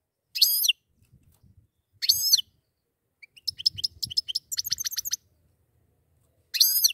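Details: A pair of goldfinches: short high chirped phrases at about 0.5, 2 and 6.5 seconds, with a quick run of sharp ticking notes in between, over faint low background rumble.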